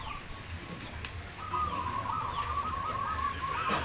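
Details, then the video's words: Perkutut, or zebra dove, competing at a Demak community singing contest in Semarang: after a brief lead-in note, one long, evenly pulsed, trilling coo phrase holds a steady pitch against soft background hum. "Lomba Perkutut KPLD Komunitas Perkutut Lokal Demak Semarang"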